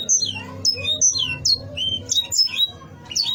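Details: Canary song meant to rile rival birds, here a loose run of separate high whistled slurs and chirps, some rising and some falling, spaced by short pauses over a faint low background hum.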